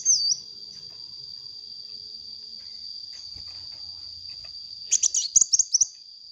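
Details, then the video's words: Sunbird singing lustily as a lure: a brief twisting whistle at the start, a long stretch with only a steady high whine, then a quick burst of shrill twittering chirps near the end. "suara burung kolibri gacor untuk pancingan bunyi kolibri bahan"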